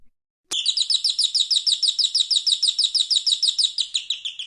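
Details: A canary, a tiny yellow songbird, sings a fast, high, rolling trill of one bright repeated note, about six or seven per second, steady and unbroken for four seconds.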